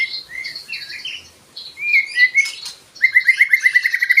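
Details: White-rumped shama song meant to rouse other birds to sing: varied whistled and slurred phrases, then a fast run of repeated bright notes about four per second.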